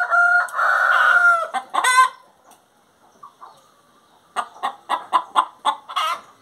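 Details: Singing hen: a long, loud, nasal drawn-out cackle, a quiet pause, then quick clucks repeated about every third of a second.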